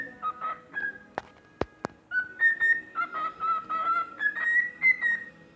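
A cockatiel whistles a warbling tune of clear notes that rise and fall, broken by a few sharp taps.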